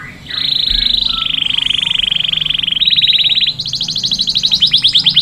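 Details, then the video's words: Canary delivering a long continuous buzzing roll that steps slightly higher midway, then breaks into faster, sharper trilled notes; low background hum throughout. "تغريد كناري ممتع Tweeting a fun canary"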